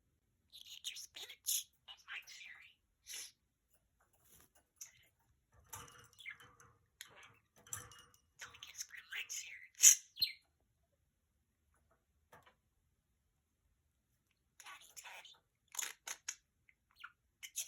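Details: A budgerigar talking, playing and singing, chattering softly in quick bursts of high chirps, clicks and scratchy, speech-like warbling.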